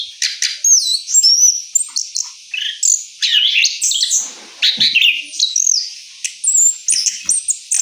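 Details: Rolling song of an orange-headed thrush after moult, high whistled sweeps and chirps broken into quick bursts about every half second.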